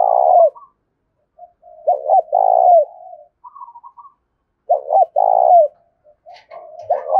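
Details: Urgently calling tame decoy spotted dove, Đồng Nai countryside, Vietnam, meant to lure wild birds: repeated deep purring coo phrases with stuttering opening notes, interspersed with quieter soft coos.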